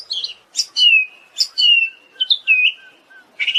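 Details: Siberian thrush singing in a tutor recording for cage birds: sharp high chips followed by drawn-out falling whistles, with soft low piping notes between phrases and a short burst at the close.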